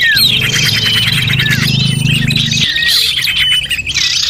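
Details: Lure recording of small birds: a dense mix of high chirps and whistled slurs from several birds, over a low steady hum during the first half.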